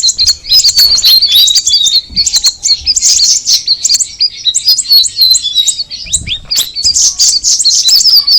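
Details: Straw-headed bulbul pouring out a long, lively song of high chirps and short warbled phrases, about four notes a second, with barely a pause.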